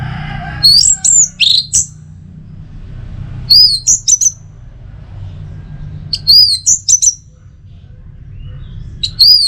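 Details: Teler-style song from an anis merah (orange-headed thrush): short bright phrases of looping high whistles repeated every few seconds, with brief silences between and faint low rumble underneath.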